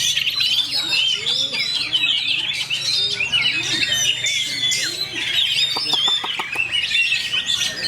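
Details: White-rumped shama of a fighter line in a cage, delivering a rapid rolling song of quick chirps and sweeping whistles, with a sustained thin whistle running underneath and short clicking rattles late on.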